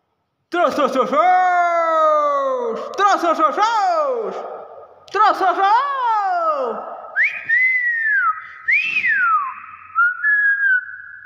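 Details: Common hill myna, subspecies intermedia, in Thailand, mimicking speech: three drawn-out, nasal, voice-like phrases that slide downward, followed by two rising-then-falling whistles and a softer whistled ending.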